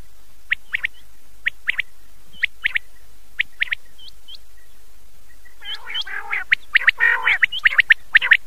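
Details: Common quail at night, taken from an old cassette: crisp rising whistled notes in pairs and triplets about once a second, then a denser burst of louder, rougher notes mixed with the whistles toward the end.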